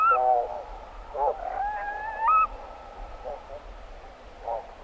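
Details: Roosting barnacle geese recorded at medium close range: short, nasal, yapping barks from several birds at irregular intervals, with a longer drawn-out tonal call midway, over a soft low rumble.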